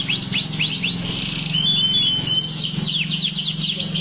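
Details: Canary in continuous song: a few sweeping whistles, then a long thin whistled trill, followed by a burst of quick descending notes, with a low steady hum underneath.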